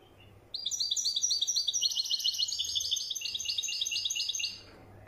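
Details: Goldfinch, European, performing widani song: a sudden burst of rapid, high, tinkling twitters, about four per second, continuing evenly for four seconds, then ending abruptly into quiet background.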